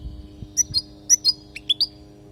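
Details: European goldfinch from Palestine, singing a training song meant for teaching young goldfinches; spaced pairs of sharp, bright chirps followed by a few quick rising twitters, with a steady low hum beneath.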